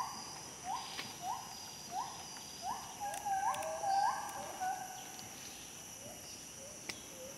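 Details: A nesting Gould's frogmouth, a nocturnal bird of lowland forest, gives a series of short, hollow whistled notes, each rising slightly, about every two-thirds of a second, then tapering off, over a faint insect hiss.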